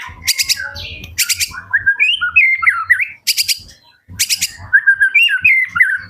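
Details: White-rumped shama song, played to provoke quiet shamas into answering: rich, warbled whistled phrases that rise and fall, broken by harsh rasping bursts.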